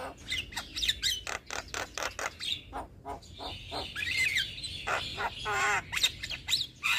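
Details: Javan myna, a young bird singing steadily as a tutor for other mynas, gives a dense jumble of scratchy chatter, rapid clicks and a wavering warbled phrase, with harsh notes packed closely together throughout.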